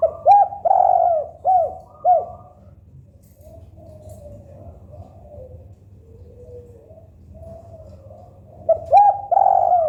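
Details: Spotted dove (local tekukur) coos: a lead note, a long coo and two falling arched coos, then several seconds of near quiet before the phrase starts again at the end.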